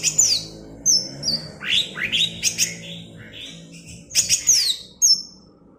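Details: Cucak ijo in the bebeci song type from Alas Purwo, Banyuwangi: bright whistled phrases with steep falling slurs and quick rising sweeps, delivered in bursts separated by short pauses.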